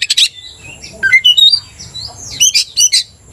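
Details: Vigorously singing Oriental magpie-robin used to stir another magpie-robin to aggression; scratchy chattering notes first, then a run of rising whistled slurs at steady intervals, closing with rasping, buzzy bursts.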